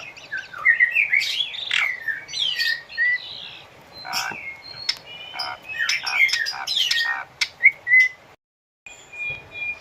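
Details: Captive-training recording of an Asian pied starling: jumbled whistles and harsh chatter, sharp clicks, clear level whistles near the end, then a moment of silence before faint steady whistled notes.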